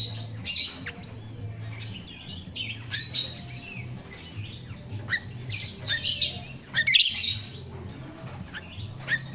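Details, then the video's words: Wild jalak rio-rio myna, used as a lure for raw captive birds: repeated loud harsh chattering bursts every second or two, mixed with short squeaks, over a steady low hum. "Suara jalak Rio-Rio asli alam// pancingan untuk jalak Rio-Rio bahan"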